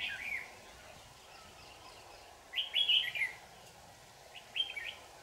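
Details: Red-whiskered bulbul in a trapping setup, in full display form, recorded 4 January 2018; short bright warbled phrases, a brief one at the start, a louder rich burst near three seconds and a shorter one near the end, over a steady background hum.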